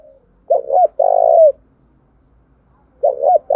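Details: Spotted dove used as a decoy to stir wild birds to answer, giving a loud two-note coo and a sustained, falling long coo, with a pause before the next double coo begins.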